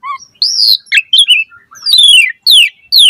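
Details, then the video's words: Jalak suren, the Asian pied starling, in varied chattering song: a low short note, a bright whistle, scattered chirps, and several long high whistles sliding steeply downward. "Suara Jalak Suren Gacor Full Variasi Materi Ocehan - Pancingan Burung Jalak Gacor Full Isian Mewah"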